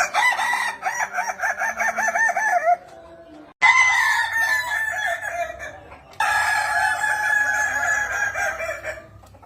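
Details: Kukuak Balenggek rooster, a Minangkabau singing chicken, crowing in long tiered, stepped phrases with rapid repeated wavering notes, broken by short pauses and an abrupt cut between bursts.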